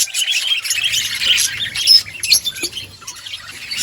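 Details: Outdoor colony of budgies chirping together, overlapping rapid high twitters and raspy chirps forming a busy, unbroken chorus, a faint low hum beneath.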